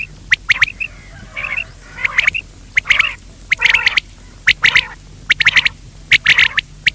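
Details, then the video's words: Quail calling as a netting lure, delivering short harsh bursts of rapid clipped notes, repeated irregularly about once a second. "بٹیر کی آواز,batair ki awaz, bater ki awaz,quail sound"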